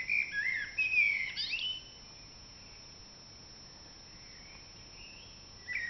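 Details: Common blackbird starting a dawn chorus in April: a couple of loud warbled, fluting phrases in the first two seconds, then quiet, with a short phrase returning at the end.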